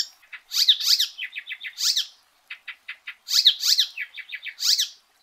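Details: Icterine warbler song in two bursts: harsh strident notes mixed with a dry rattle of fast clicks, with a short pause between.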